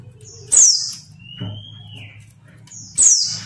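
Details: Female mountain white-eye calling to provoke males into singing: two sharp, very high descending chirps about two and a half seconds apart, with a long thin level whistle between them, over a low steady hum.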